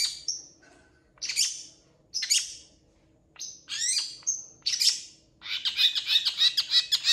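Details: Long-tailed shrike in vigorous song, a training recording said to include imitations of cats and chickens: sharp high chirps and descending buzzy notes in bursts, ending in a dense run of scratchy rapid phrases.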